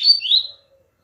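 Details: Double-collared seedeater giving a short, high, slurred note that drops then wavers. It is a single half-second burst followed by quiet.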